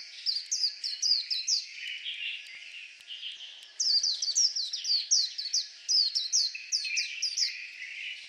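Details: White-eye pours out continuous high twittering: quick downslurred whistles in dense phrases, rising in loudness midway, with softer warbling between bursts.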